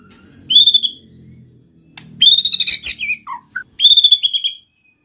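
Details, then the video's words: White-rumped shama song for prompting other shamas: clear high ringing whistles, a rapid run of bright notes, two low short notes, then another ringing whistle phrase. "pancing MURAI BATU malas bunyi/bahan paling mudah direspon tanpa takut |murai gacor |shama bird"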